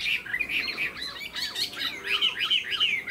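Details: Chinese hwamei, a caged tame bird with fanned tail, displaying its wings eagle-style. A short burst of fast, repeated whistled notes that bounce up and down, several each second, ending in bright, clear phrases.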